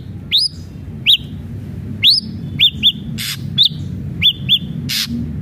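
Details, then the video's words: Spirited ashy drongo song used to make captive birds sing: sparse, sharply rising whistles and paired arched notes, with two harsh hissing bursts, separated by brief pauses. "SRIGUNTING ABU ABU GACOR PALING CEPAT BIKIN SRIGUNTING BAHAN JADI GACOR"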